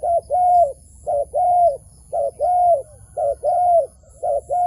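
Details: Wild dove near a trap giving clear, even coos, a brief note paired with a drawn-out level note, the pair repeated roughly every second against a quiet background.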